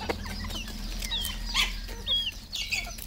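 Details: Red junglefowl at a farm in Cambodia: short, high, curving chirps rise and fall in quick bursts over a steady low hum. Softer clucking notes sit underneath.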